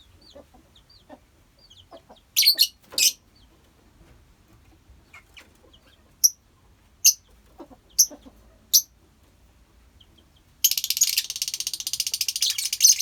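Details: Scattered sharp chirps and a few shrill bursts from a lovebird colony give way to dense, continuous, high, grating chatter that fills the last few seconds.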